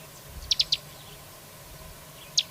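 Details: Carrizalero singing: three quick, sharp high chips in a tight cluster, then a pause and one more lone high chip, over a steady low background hum.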